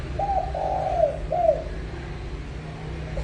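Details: Spotted dove in pha kim voice: three mellow coos, a brief note, a long drawn coo and a short closing one, over a steady low hum.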